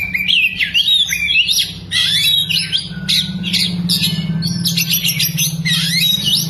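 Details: Oriental magpie-robin with spread tail, singing a varied song filled with lovebird mimicry: warbling whistles that slide up and down, quick twittering runs and scratchy notes, over a low background hum.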